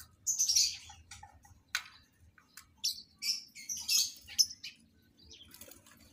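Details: Harsh, high chirps and squawks come from captive lovebirds being paired for breeding. They arrive in irregular clusters, with brief louder peaks and softer notes trailing off.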